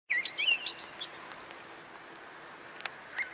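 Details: Eurasian blackbird singing at 4:15: a fluted, warbling phrase opening the clip, then thin high twittering squeaks before it fades into quiet background hiss with faint distant chirps.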